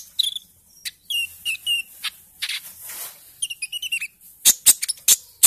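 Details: Lure recording of a young olive-backed sunbird in early green-speckled plumage, fresh from juvenile plumage: a few sweet downslurred whistled notes, a quick twittered series, then several loud sharp clicks at the end.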